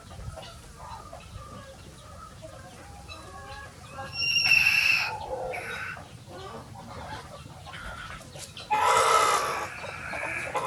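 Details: Many chicken breeds roam free on a farm on a sunny day. Low, muttered clucking runs throughout, broken by two loud, raspy, drawn-out squawks about four seconds apart.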